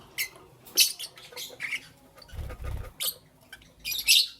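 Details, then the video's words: Morning chirping from pet lovebirds: a few sharp, high squeaky chirps in separate bursts, and a low rumbling bump in between. "Lovebirds Chirping Sounds"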